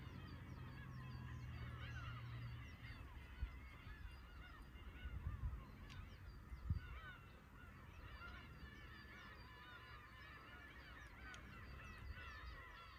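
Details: Sustained chorus of Black-tailed Gulls at a fishing port in Aomori, Japan: overlapping plaintive mews, occasional clicks and knocks, waves rumbling below.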